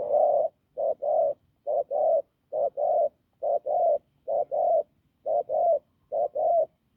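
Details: Hoarse, firm cooing of a field spotted dove: a brisk run of paired low notes, each a short coo then a slightly longer one, repeated evenly about every 0.9 seconds, in a quiet setting.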